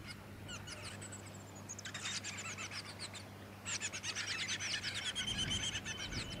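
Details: Splendid fairywren of the black-backed subspecies melanotus, Victoria, Australia, December 2017: a thin descending series of high notes, then two bursts of rapid high reeling trills, the second louder and longer, over a faint low hum.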